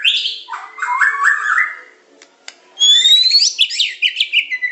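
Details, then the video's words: White-rumped shama of the Medan type, in a training recording of pancingan, macet, tembakan and isian song styles: bright high whistles, then a run of rising warbled notes, a short pause, and fast sliding whistled phrases with rapid trills. "Materan burung murai batu medan super-pancingan macet-tembakan-isian"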